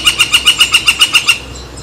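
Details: Woodpecker calling by San Francisco Bay on July 18, 2023: a quick run of about ten sharp, evenly spaced squeaky notes, roughly seven a second, cut off abruptly, followed by quiet background.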